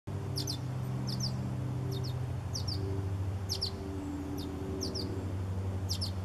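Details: Hungry barn swallows, recorded July 14, 2020, giving short high paired chirps in bursts roughly every second, over strong low rumbling background noise.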